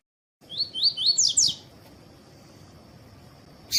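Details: Double-collared seedeater of the tui tui style, with a female to prepare the male for singing competitions. A quick series of rising slurred whistles, then two louder, sharper descending notes, followed by a steady high whine and a closing click.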